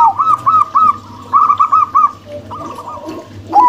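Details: Zebra doves, a local female with a crossbred male, deliver two quick series of arched, liquid coos about three notes per second, separated by a softer murmured stretch, ending with a fresh loud note; steady low hum throughout.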